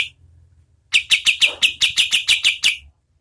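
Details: Oriental white-eye, local name kapas tembak, singing a short burst of about ten sharp, evenly spaced high chirps, close and clear against a quiet background, as tutor song for competition birds.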